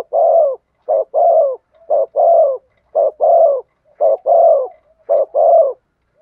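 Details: Spotted dove performing its 'thổ sấm' style song: six rhythmic two-part coos, a clipped note followed by a fuller, falling coo, about once per second, clear and uninterrupted.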